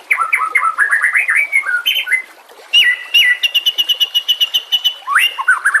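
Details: Master-recording song of a white-rumped shama for tutoring other songbirds, a fast varied stream of slurred whistles, sharp rising notes and long steady high tones, ending in a quick series of clipped repeated chips.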